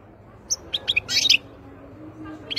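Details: Wild European goldfinch giving a brief series of high, tinkling chirps that run into a short buzzy flourish, then quiet.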